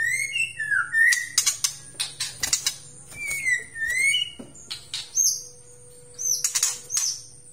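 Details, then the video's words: White-rumped shama of the Aceh type, described as highly vocal, singing a varied song: clear slurred whistles around mid pitch mixed with sharp high clicks, buzzy bursts and piercing high notes, with a faint steady low hum behind. "MURAI BATU ACEH PALING GACOR DI DUNIA"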